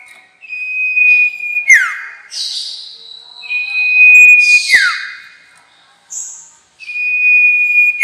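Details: Sirtu lure call for trapping: long, pure, level whistles, each closing with a steep falling slur. Short, higher, buzzy notes sit between the phrases, and the whistle returns at the end.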